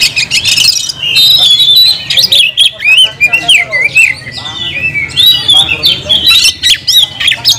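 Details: Oriental magpie-robin (kacer), a kept songbird, in long gacor nagen song: continuous liquid whistles, slurred up-and-down notes and quick chips for over seven seconds with barely a break.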